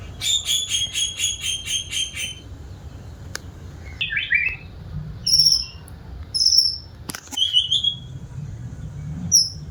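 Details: White-rumped shama opening with a quick, evenly repeated run of about ten bright notes, then scattered short high whistles and clicks with steady low background noise.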